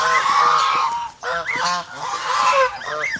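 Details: Protective domestic geese, Philippines, blaring harsh honks; a long drawn-out nasal call, a short gap, then quick upward-curving honks from more than one bird.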